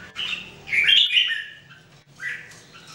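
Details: Two lively whistled phrases from Red-whiskered Bulbuls, three birds in daily song training in 2018, the first longer and slurred, the second short and falling.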